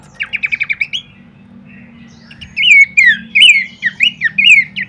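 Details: Horsfield's babbler master song for training birds: opens with a fast stuttering trill of about eight notes, a brief pause, then bold swooping whistled phrases over a low steady hum.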